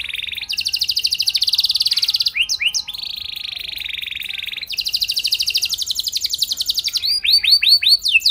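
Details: Canary singing to prompt answers from other canaries: long rapid pulsed trills alternating between higher and lower pitch, broken by a few swooping whistled notes and ending in falling sweeps.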